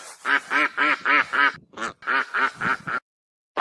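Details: A goose gives a quick string of about five nasal honks, pauses briefly, then four more in fast succession, each call short, harsh and evenly pitched, ending in silence before one last honk starts.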